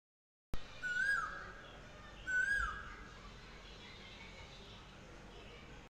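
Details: Asian koel calling: two clear, whistled, rising 'kuhu' notes about two seconds apart, each ending in a slight upward slur, over a steady background hiss.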